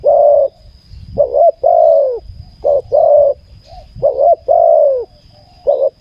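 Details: Spotted dove used in ground decoy trapping, where a decoy bird lures a wild bird with a good voice: loud, deep, rounded cooing phrases in short bursts, several within six seconds, over a faint steady high tone and low rumble.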